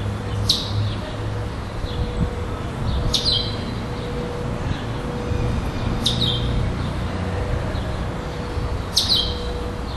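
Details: Competing at a December 2011 singing tournament in Florianópolis, southern Brazil, a caged second-place chestnut-bellied seed finch sings in the 'preto clássico' non-repeating style. Four brief, bright, descending whistles recur roughly every three seconds against a constant low mechanical drone.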